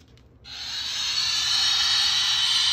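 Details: A male pet Moluccan cockatoo lets out one long, harsh, rasping screech, likened to a dinosaur roar, that starts abruptly after a brief quiet moment and holds steady and loud to the end.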